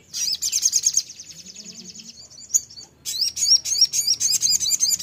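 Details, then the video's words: A Crimson-breasted Flowerpecker, recorded as a lure to make other flowerpeckers sing, gives very high, thin trilled notes, falls quiet briefly, then bursts into a rapid string of sharp, bright chips. "pancingan sogon suara seperti ini bikin sogon anda cepat Nembak"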